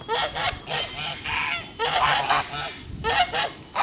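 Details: Blue Kholmogory gander, hatched 2016, on a farm on 21 August 2018: loud, rasping honks in quick runs of two and three, broken by short pauses.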